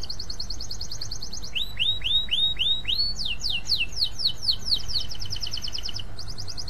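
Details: Canary in long, lively song used as a lure to prompt other canaries to sing: a fast high trill, then a run of repeated down-slurred whistled notes, rising into a rapid buzzy rolling trill, over a steady low background hum.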